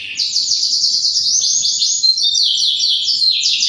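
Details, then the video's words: Canary in full, energetic song: a dense, continuous run of bright high trills and rapid rolling notes, shifting pitch and texture without pause, clean with no other sounds. "kenari gacor burem"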